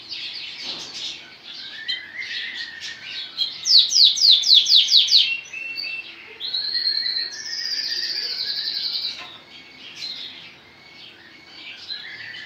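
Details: Lancashire canary, a lemon-coloured caged male, singing a varied phrase with a soft twitter, a loud rapid burst of sharp repeated notes, then a sustained buzzy trill; faint background noise between phrases.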